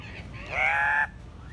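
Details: Captive Andean cock-of-the-rock at the San Diego Zoo giving a noise called surreal and bizarre, like a weird puppet voice: one loud, nasal, rising squawk lasting about half a second, then fading into low background hum.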